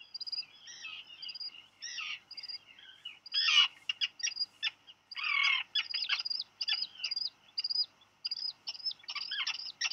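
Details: Black Guillemot chicks, Seal Island National Wildlife Refuge, Maine, USA, on 8 July, one blaming its sibling for a dropped fish; high peeps interrupted by harsh rasping bursts, then quick repeated thin notes.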